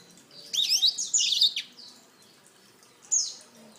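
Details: A black-throated canary delivers a quick burst of high, twisting whistles and chirps lasting about a second, falls quiet, then adds one short bright phrase.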